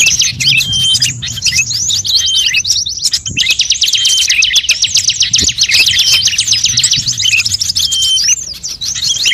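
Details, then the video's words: Bird lure recording mixing many species, including magpie-robin, shama, leafbird, shrike, drongo, prinia, bulbul and starling. A dense, continuous torrent of high chattering and rapid trills, with short whistled notes woven through. No pauses. "suara pikat semua burung"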